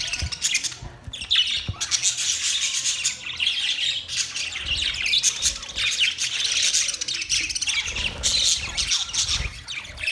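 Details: Chirping budgies in a nearly continuous stream of harsh, high warbling chatter and squawks, dense and overlapping throughout, with a couple of short lulls.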